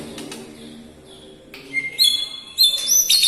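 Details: White-rumped shama singing a song stuffed with imitations of lovebird, kapas tembak and cucak jenggot; after a quiet start come high, clear rising whistles and bright chirps, with faint low background noise.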